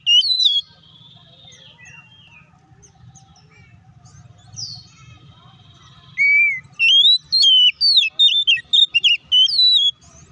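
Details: Oriental magpie-robin song meant to provoke other magpie-robins into a quick, agitated response. A loud burst of high whistled notes opens, then after a quiet stretch of low hum come rapid, varied rising and falling whistles and chirps in quick succession.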